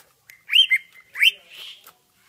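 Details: Greater green leafbird, ngentrok style used as a training reference: two brisk upslurred whistled notes with a soft trailing hiss between them.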